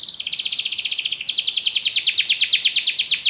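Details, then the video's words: Singing yellow Belgian canary: an even, pulsed trill shifts to a slightly slower string of falling notes, with a faint hiss in the background. "canário belga amarelo se destacando no canto, gogo de ouro"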